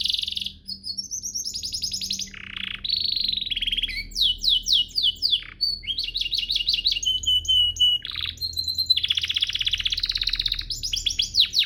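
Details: Training master song of a canary: long varied phrases of high trills, buzzy rolls and rapid repeated notes, changing tempo every few seconds, with a faint low hum underneath.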